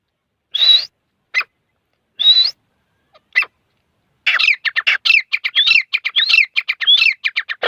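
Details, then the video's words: Grey francolin (teetar) calling: several loud, rising, whistled notes with pauses, then a fast, excited run of sharp, repeated, upward-sweeping notes. "Dasi teetar ki awaaz / teetar kids boli / teetar voice / teetar sound / Sabaz teeter ki awaz"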